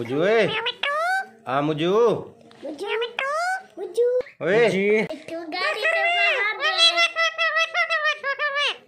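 A rose-ringed parakeet chatters in speech-like phrases: rapid rising and falling syllables with squeaky, childlike tones, run together in short bursts indoors.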